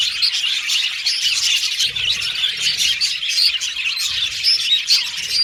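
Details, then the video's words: Several pet Australian budgies whistling and chattering together, a continuous high warbling babble scattered with short clear whistles that rise and fall, no other sounds heard. "Australian Budgies Birds Singing & Chirping Sound"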